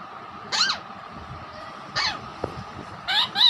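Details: Pet raw parrot making varied sounds, including a hen imitation, whistling and saying a word: three loud harsh squawking bursts with bent harmonic sweeps, about a second and a half apart, over a steady background hum.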